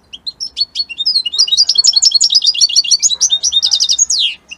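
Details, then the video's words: European goldfinch of the Italian type, singing a rapid, dense run of twittering, high-pitched notes and trills that grows louder and ends in a sweeping rising-falling note; no other sounds stand out. "من أقوى تغاريد طائر الحسون الجميلة الحسون ايطاليا"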